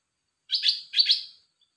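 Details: Red-whiskered bulbul, dok taeng type: two quick, buzzy chirped notes about half a second apart, clean and without background sound.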